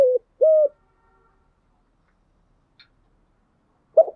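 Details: A decoy spotted dove, used to call in wild doves, gives two short hollow coos in quick succession, then silence before a single muffled note near the end.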